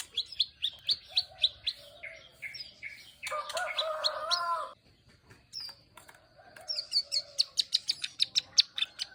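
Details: Prinia in a 'klik ngeriwik' song style: fast runs of sharp, high clicking notes, broken midway by a louder, lower buzzy burst, then a brief quiet gap and more rapid ticking clicks.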